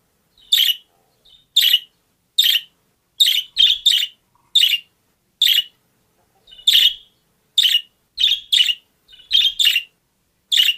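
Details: Domestic budgerigar producing a lively series of about fourteen short, grating chirps, some in quick pairs, with softer faint notes in between and no other sounds.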